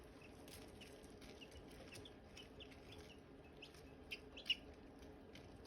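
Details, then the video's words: Silkie chicks near hatching eggs give scattered soft high peeps, quiet at first, with two louder sharp chirps close together toward the end. "Silkie chicks chirping, Hatching eggs chirping sounds"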